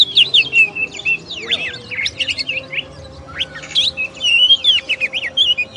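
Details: Oriental magpie-robin (kacer) singing, presented as a masteran tutor recording of champion birds: fast, varied clear whistled phrases, rising and falling slurs and trills packed closely together, with a steady faint low hum underneath.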